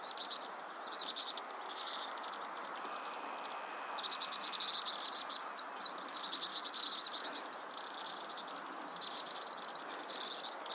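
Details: Vinous-throated parrotbill giving short bursts of high, thin, upward-curving chips in groups of three or four, separated by pauses, over a continuous soft hiss.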